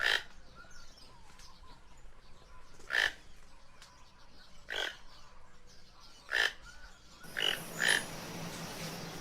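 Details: Repeated harsh, grating croaks from a toucan, roughly one and a half seconds apart, ending with a quick pair as background hiss rises.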